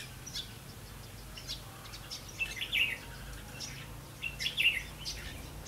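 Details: Red-whiskered bulbul at a trap set on 8 October 2016 gives two brief, bright, whistled warbling phrases about two seconds apart. Faint chirps and a steady low hum fill the gaps.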